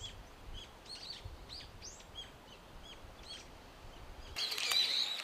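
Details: Brown-eared bulbuls loud in a blossoming cherry tree in Japan, feeding on nectar; shrill arched calls in an uneven series, ending in a sudden burst of broad rustling noise.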